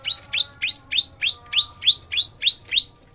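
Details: Pentet, the long-tailed shrike, in a lovebird-imitating roll: a steady series of bright, high rising chirps, about three per second, evenly spaced and loud.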